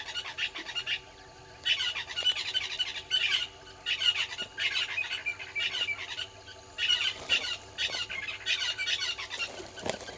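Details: Southern red-billed hornbills below a camera at Gowrie dam waterhole, Djuma Game Reserve, Sabi Sand Wildtuin, South Africa, at 06:08 on 20 March 2022: bouts of rapid, clucking notes, each lasting about a second, over steady background hum.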